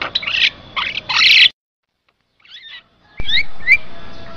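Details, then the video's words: Javan myna song used to lure other mynas and to tutor captive birds: harsh raspy bursts, a pause, then sharp rising whistled notes over chattering. "MP3 suara jalak kebo , bisa untuk pikat sangat ampuh"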